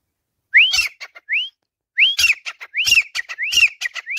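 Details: On a swing perch in its cage, a Grey Francolin calls in loud, upslurred whistles. A pair of notes is followed by a short gap, then a quicker string of rising whistles laced with dry clicks.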